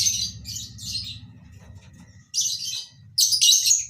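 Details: Lovebirds kept in a colony breeding setup: bouts of shrill, harsh chirping at the start, mid-way and near the end, with quieter gaps in between, all over a steady low mechanical hum.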